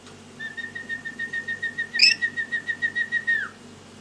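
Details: Pet lory singing during its daily activity and play: one sustained whistle held at a steady pitch for about three seconds, wavering in quick regular pulses, with a brief sharp squeak in the middle and a short downward slide at the end, indoors.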